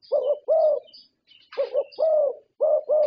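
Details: Award-winning zebra dove from Thailand: low, warm coo notes in quick doubled and drawn-out phrases, a short scuffing noise in the middle, and faint distant chirping above.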